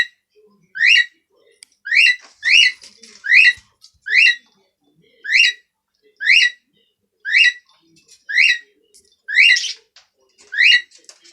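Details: Cockatiel (Nymphicus hollandicus), call.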